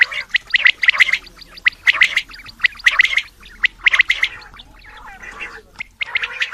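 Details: A male Coturnix quail calls in quick clusters of harsh, gargling notes about once per second. Softer chatter follows near the end.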